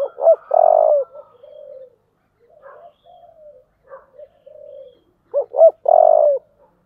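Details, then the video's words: Fight-urging call of a spotted dove sung in the 'thổ' style. A loud, buzzy coo sequence is followed by scattered soft notes, then two sharp hooked notes and another long, strong coo. "cu gáy giọng thổ/ cu gáy thúc đấu"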